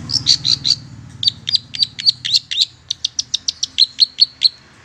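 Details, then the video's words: Lure recording of the long-tailed shrike for attracting wild birds to a trap: rapid chattering series of short, sharp high notes, steady and insistent, with a brief pause midway. "Suara Pancingan Pikat Cendet Pentet Liar Sangat Ampuh"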